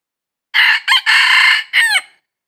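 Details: Red junglefowl in the wild giving its crow while being trapped, 22 December 2021. Silence, then a crisp crow in four pieces: a short opening, a brief stutter, a drawn-out level note and a clipped, falling tail.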